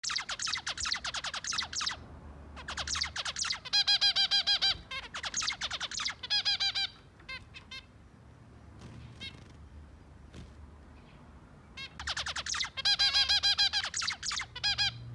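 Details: Zebra finches singing while eating and cleaning: fast bursts of nasal, harmonic beeping notes in dense bouts, roughly three per second, broken by a quieter gap around eight to eleven seconds before a renewed burst.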